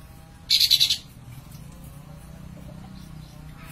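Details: Lively, tail-spreading Sooty-headed bulbul giving a single quick burst of five bright, bubbly notes lasting about half a second, followed by quiet low background hum.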